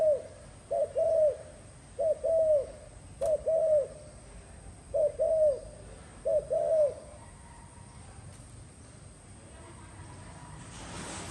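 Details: Spotted dove giving soft, low, hollow coos in short two- and three-note phrases, about six phrases over seven seconds before falling quiet, with steady faint background hiss and a brief click near the end.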